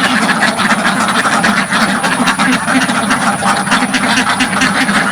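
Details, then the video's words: Dozens of ducks in a village farm pen, recorded from right in front, quack loudly and without pause, harsh nasal calls overlapping into a dense, steady chatter. "LOUD Duck Sounds"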